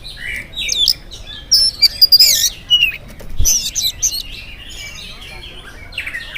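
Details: Morning song of an oriental magpie-robin, played to set other magpie-robins singing: a tumbling run of thin high whistles and scratchy chirps, then softer warbled notes trailing off.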